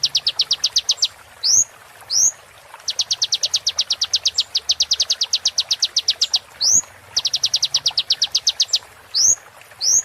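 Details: Repeated high, rapid sunbird trills, each run closed by a sharp rising whistled note, recurring over several seconds. Used as a model song for caged birds.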